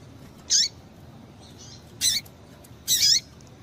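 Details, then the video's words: Female double-collared seedeater calling to stir up males, giving three brief high buzzy chirps, each ending in a downward-hooked tail, with pauses of about one and a half seconds between them and a quiet hiss behind. "Piado de Fêmea de Papa capim é Fêmea de Papa capim Chamando Para Esquentar Papacapim"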